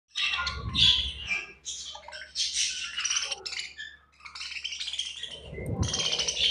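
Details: Budgerigars at feeding time, kept in a cage: dense overlapping chattering chirps and warbles, bright and scratchy, in continuous bursts with short squawks and a low background hum.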